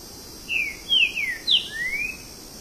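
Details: Green-winged saltator (Saltator similis) singing a quick phrase of about five loud, clear whistles, slurred up and down, over less than two seconds, with a faint high hiss behind.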